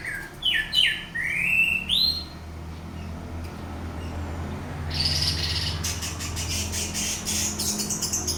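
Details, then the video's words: Orange-headed thrush used to stir another bird into teler singing: a few rising whistled slurs first, then a pause and a series of harsh, rapid, buzzy bursts with a low hum throughout. "pancingan anis merah bunyi lanjut teler"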